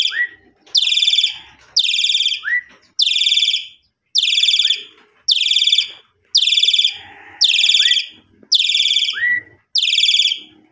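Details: Caged Asian pied starling lure recording for a bird left alone during the Lebaran holiday: a steady run of ten grating, buzzy rasps spaced roughly a second apart, separated by brief rising whistles.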